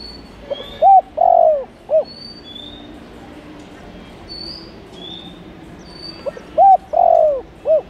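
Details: Calling spotted dove used as a lure for wild birds. Two cooing phrases about five seconds apart: a tiny pickup, a rounded coo, a long falling coo and a quick final note, with faint high chirps of other birds between.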